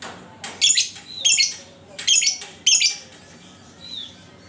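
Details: Lovebird lure sound, meant to prompt other lovebirds to sing: four harsh, buzzy, high chirp bursts, each under half a second, spaced irregularly, with a faint thin whistle after them.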